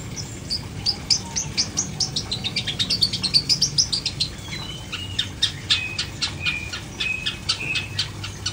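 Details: Long-tailed shrike, caged with no cover, singing a rapid chattering sequence of high chips and short whistled slurs, rising in pitch then settling into evenly spaced sharp notes.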